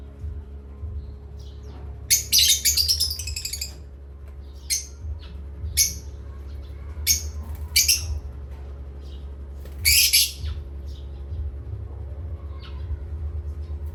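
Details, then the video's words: Pet parrots at playtime making an opening burst of harsh chatter, then spaced single squawks and chirps every second or so, with a louder burst later and a steady low hum. "Beloved Asia Parrots and playtime with Parrots Chirping"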